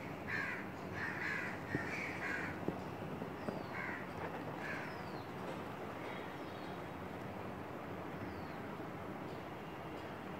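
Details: Female Asian koel seen close up on a curry-leaf branch next to a window. A quick burst of sharp, grating notes comes in the first five seconds, then fades into faint hiss with a few thin high sounds.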